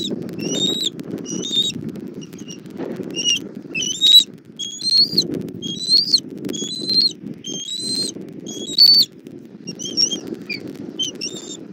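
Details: At a Southwest Florida bald eagle nest, evening of 1 April 2024, mother arriving with food for the chick: a long series of high, thin whistled notes in quick bursts, some rising, over low rustling and wind.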